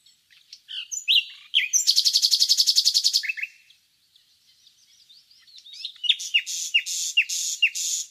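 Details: Nightingale singing in the village countryside of Laleli, Yol-çatı, Bursa, Turkey: sharp whistles leading into a long, even, rapid trill, soft warbles, then loud repeated downslurred notes.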